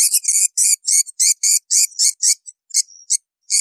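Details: Swiftlet calls meant to attract edible-nest swiftlets to farm nesting houses. Rapid high rasping chirps, roughly four a second, become more spaced and uneven toward the end, with a thin faint whistle between them.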